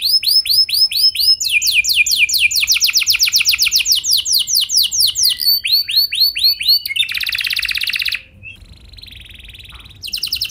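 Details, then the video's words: Canary lure song for prompting other canaries to sing: repeated rising notes, long runs of fast downslurred whistles, a harsh buzzy trill, then a quiet stretch and a final burst. "Pancingan Ampuh Buat Kenari Kondisi Apapun! Bakal Langsung Nyaut Ikut GACOR Panjang"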